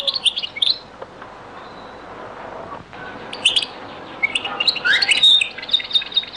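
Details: European goldfinch in the Beni Messous 'les avocats' (zaboka) style from Algeria, very old recording: a brief opening twitter, a long near-silent stretch, then scattered high chirps building into a fast, buzzy warble.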